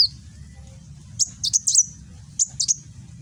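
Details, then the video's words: Kolibri Wulung sunbird in Gresik, East Java, Indonesia, singing in the sharp 'nembak' style, recorded on an Android phone; short clusters of very high, thin metallic notes come in two bursts about a second apart over a low steady hum. "Burung Kolibri Wulung nembak"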